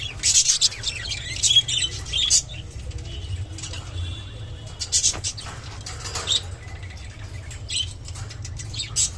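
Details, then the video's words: A lutino budgerigar gives scratchy, high chirps and chattering bursts every second or two, with a steady low hum underneath; described as a mating call. "beautiful lutino budgerigar sounds and mating call"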